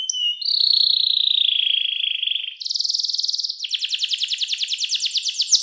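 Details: Luxurious, clear-voiced canary song meant as a master recording for young canaries to learn from: a smooth sustained whistle gives way to a rapid high rattle, then a slower rolling trill of repeated pulses.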